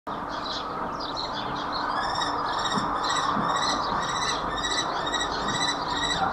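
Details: Common kestrels mating at Babenhausen-Harpertshausen on 26 April 2021 at 17:24 give rapid, high, harsh notes, about two or three per second, over steady broadband noise like traffic.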